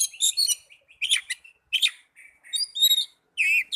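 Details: Oriental magpie-robin singing, for therapy to get young or silent birds singing: dense, varied phrases of sharp chirps, warbled whistles and buzzy trills following one another with short pauses, bright and high-pitched.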